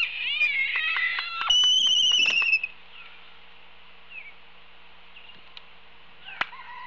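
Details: Laysan albatrosses on Kauai on 13 March 2018, possibly young or non-breeding birds practising courtship dances, give nasal whines and a high drawn-out whistle over sharp bill-clacks for two seconds, then quiet hiss and a final clack.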